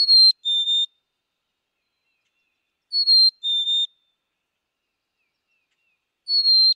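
A Black-capped Chickadee sings its clear two-note whistle, a higher note then a slightly lower one, repeated about every three seconds against silence.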